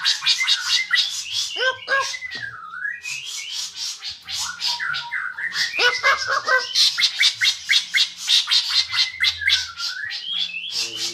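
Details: White-rumped shama, described as a bird with an all-round versatile voice, delivers a varied song: rapid runs of sharp high notes, interspersed with clear whistled phrases that slide down and rise again, changing constantly throughout.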